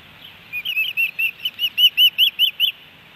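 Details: Osprey at a nest in Hellgate Canyon, Missoula, Montana, on July 13, 2018, a three-fish day; a steady series of about a dozen shrill, down-slurred whistled chirps, growing louder, roughly three per second.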